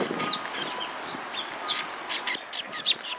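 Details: Cute sparrows at a riverside bridge on the afternoon of 31 March 2022; short, high chirps repeated in quick bursts across the clip, with a faint steady tone underneath.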